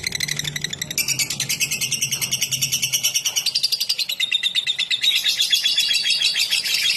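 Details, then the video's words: Seven seconds of lovebird ngetik, the trill played as a lure: a continuous rapid, scratchy chattering of high notes, rising in pitch toward the end, with a low hum in the first seconds. "Love bird ngetik buat pancingan"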